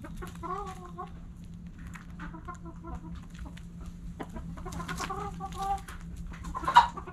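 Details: Backyard chickens in the early morning: spaced groups of tonal, slightly wavering clucks from a few hens, with quieter gaps, a steady low hum, and a sharp knock near the end.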